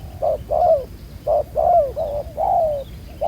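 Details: Spotted dove, field-caught with a black-spotted neck, cooing for ground trapping: close, mellow low coos, a short note followed by long drawn downward slurs, one run of three linked notes.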